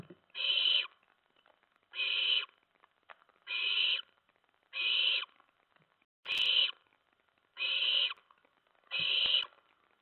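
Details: Owlets in the dark early hours of September 10, 2017, with adults bringing mice and a rat. Seven short, hoarse, hissing screeches come at an even pace of about one every 1.4 seconds, separated by near silence.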